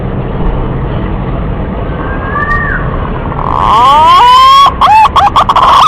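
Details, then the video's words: Male green pigeon calling to a female: steady background hiss, then a loud series of rising, harmonic-rich whistles breaking into short warbled notes near the end. "suara burung punai Jantan memanggil betina"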